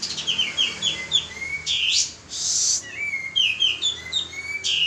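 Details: [1, 'likely', 'song', 'Male pied triller in full song, recorded as a lure to prompt other birds: runs of clear, descending whistled notes repeated in quick series, broken by short harsh buzzy bursts, with no other clear sounds.']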